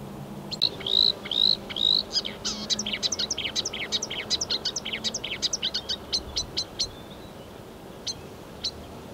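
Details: Marsh warbler recorded on 15 May 2020, singing a medley imitating other European and African birds: rising whistles, then a rapid run of varied sharp chirps and trills, ending in sparse notes.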